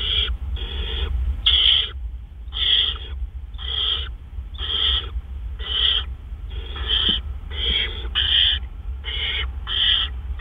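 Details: Raspy, hissing screeches repeated in a fast series of about a dozen short bursts at a great horned owl nest during a gopher delivery, 1:43 AM on 10 April 2013. A continuous low rumble sits underneath.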